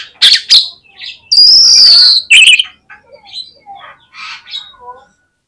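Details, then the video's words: Oriental magpie-robin (kacer) in full 'gacor' song, used as a lure to spur competition birds into rapid 'konslet' singing: sharp high chips, then a long loud whistled phrase and scattered softer twittering notes. "SUARA KACER GACOR INI BIKIN MUDAH ON KONSLET DI LAPANGAN"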